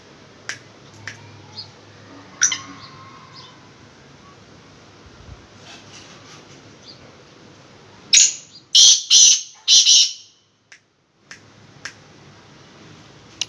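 Black francolin giving a loud, harsh phrase of four rasping, grating notes in quick succession. Faint chirps and a low hum come before it.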